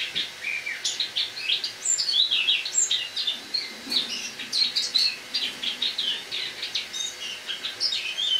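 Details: Captive Eurasian blackcap (Sylvia atricapilla) kept indoors in a kitchen, autumn song on the morning of 1 October 2017: a continuous, rambling warble of quick varied chirps, twitters and high squeaky notes, unbroken throughout.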